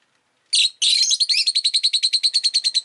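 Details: A pet rosy-faced lovebird opens with two rough squawky chirps, then breaks into a fast, even chatter of clipped chirps, roughly nine per second, that runs on steadily.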